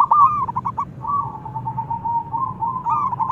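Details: Thick-voiced young local zebra dove, a lure bird for other doves, producing a near-continuous wavering, purring coo at mid pitch, opening with a few choppy notes and swelling again at the end, over low hum.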